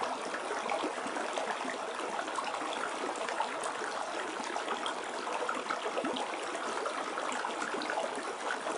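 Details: Continuous trickling and gurgling of clear running water, with no bird or other animal voice audible.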